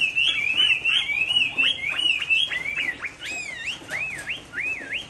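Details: Chinese hwamei kept in a cage in Hai Phong, Vietnam, rainy afternoon: clear piping whistles, then a series of looping up-and-down whistled notes repeated at a steady pace.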